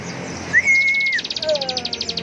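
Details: Bar-winged prinia singing in the energetic 'ngebren' style: a long, level whistled note, then a fast, buzzy, high trill of evenly repeated notes, with a lower sliding whistle beneath and a man talking nearby.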